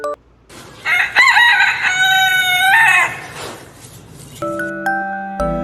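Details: Rooster crowing: one long, loud, harmonic cock-a-doodle-doo with a short opening note, held steady and then dropping away, followed by a few bright music notes.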